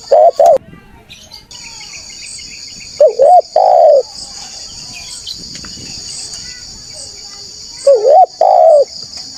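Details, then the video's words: Spotted dove calling as a lure for wild doves seeking rivals: three sparse two-part coos, a wavering short note then a longer mellow one, separated by long gaps filled with a loud shrill insect drone. "TEKUKUR GACOR SUARA MERDU_5 DETIK NYAUT PANCINGAN TEKUKUR NGALAS CARI LAWAN"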